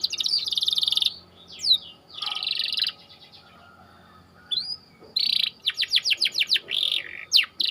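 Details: Tight rolling song of a white canary used as training bait for other canaries: long buzzy rattling trills, a rising slur, then a rapid series of sharp sweeping notes and short rolls.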